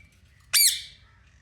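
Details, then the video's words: Pet parrot in a cage, moving about playfully, gives one loud harsh squawk that drops sharply in pitch then trails off, against a quiet low room hum. "Mitu Parrot Original Voice 😍🔥 | Cage Mein Full Masti & Talking Show"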